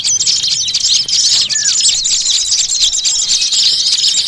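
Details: Small birds' noisy lure call used for catching small birds: a dense, loud, continuous tangle of high, rapid chirps and twitters, with one lower descending note midway.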